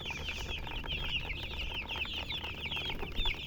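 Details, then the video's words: Hen's chicks peeping continuously, each note a short high slurred chirp, many birds overlapping in a restless chatter over faint low hum. "MURGI Baby "Chicks Chirping" Sound"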